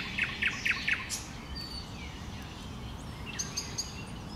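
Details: Common nightingale singing in bushes: four loud, sharp, identical notes repeated rapidly in the first second, then a high thin whistle and quieter scattered chips over steady low background rumble.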